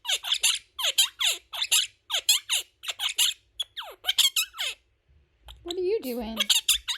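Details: Pet Quaker parrot, a male, rattling off fast mimicked words in high, squeaky syllable bursts for about five seconds, then a person's lower voice speaks briefly, with more parrot squeaks over the end, indoors.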